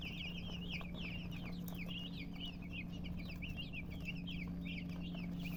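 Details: Chicks, the young of domestic chickens, chirping together in a continuous stream of thin, high, downslurred peeps. The notes tumble over one another several times a second, with a constant low hum underneath.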